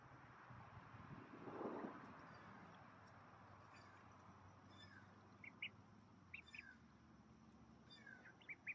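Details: Ducklings during the 2018 hatching season, recorded Thursday, August 9, 2018, at 5:46 PM. A low rumble comes first, then a few faint, short, high peeps late on, some rising and some falling.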